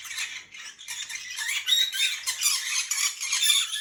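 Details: Pet green-cheeked conures chatting away to each other in a conure chorus, like one giant conversation: a dense, continuous jumble of overlapping high squeaky chirps and chatters from several birds indoors.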